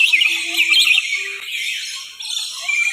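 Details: A flock of lorikeets at Bird Paradise, Hyderabad, Telangana, in the afternoon, keeps up constant chattering, a dense wash of shrill, squeaky screeches running without pause, with a faint low hum early on.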